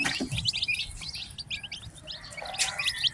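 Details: Newly hatched chickens, a batch of ten chicks, cheeping constantly: many short high peeping notes rapidly overlapping, about four per second, over a low rumbling background hum.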